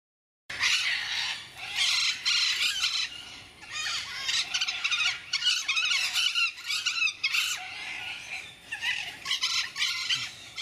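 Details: Two blue-and-gold macaws, eight and seven years old, producing a dense, continuous stream of harsh, raspy squawks and screeches that overlap almost without pause, rising and falling in loudness.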